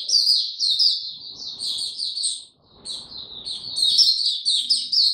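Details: Caged white-eye opening its song on 29 April 2022, given no health supplements, in power down mode: rapid high twittering phrases, thin chirps strung densely together, with a brief pause midway before the chatter resumes.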